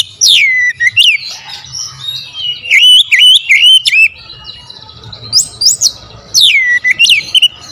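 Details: Powerful, clear oriental magpie-robin song used as a lure: bright falling whistles, looping warbled phrases and sharp clicks in two loud bursts separated by a softer pause, over a soft low hum.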